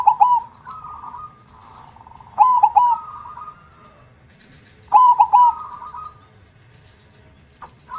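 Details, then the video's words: Zebra dove in vigorous 'kong'-style song: three phrases, each of three quick hard coo notes followed by a longer wavering trill, spaced roughly two and a half seconds apart. Quieter cooing from other doves fills the gaps. "gacor suara besar KONG - perkutut mana yg gak merinding dengarnya"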